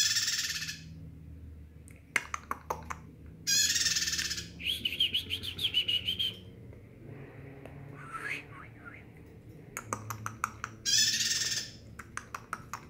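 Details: Bar-winged prinia singing actively: several loud, harsh, rapid buzzy trills, one a quick run of repeated high notes, separated by gaps with sharp clicks and a soft low background hum.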